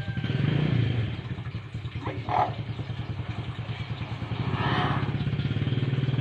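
A motorcycle engine idles and revs throughout, with a brief clatter near the middle and no clear animal voice.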